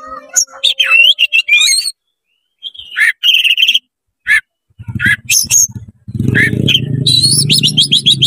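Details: Oriental magpie-robin singing rapidly with tail open to stir up other magpie-robins; varied whistles, chips and fluttering trills, with a low rumbling background noise during the second half.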